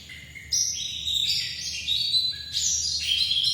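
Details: A dakun-type white-eye from Bali opens with a thin steady note, then bursts into quick, high descending chirp runs, pauses briefly with another plain note, and resumes its bright twitter.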